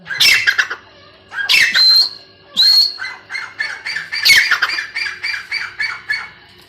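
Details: Female grey francolin giving loud harsh squawks and screeches in irregular bursts, then a quicker run of rasping repeated notes.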